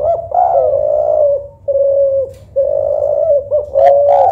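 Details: Cooing spotted dove, local tekukur or Kelantan derkuku, judged for a soft and melodious voice: four long, mellow, even-pitched coos separated by brief pauses.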